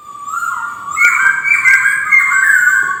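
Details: White-crested laughingthrush delivering a continuous, loud, warbled whistle that jumps up to a higher band and holds with slight wavering, with faint clicks underneath.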